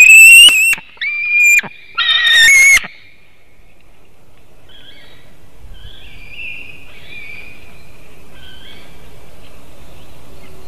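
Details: White-tailed eagle at a Latvian nest webcam during a morning fish delivery, 17 August 2018: loud, sharp yelping screams for about three seconds, then fainter distant screams from another eagle calling from afar.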